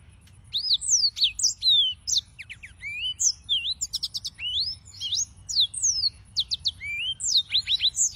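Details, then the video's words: Continuous, lively canary song from a yellow-fronted canary: tumbling high whistles, quick trills and repeated sharp downslurs, the notes varying in shape from one to the next across the whole stretch. "Suara Burung - (Serinus Mozambicus) White-tipped Green Singers Singing"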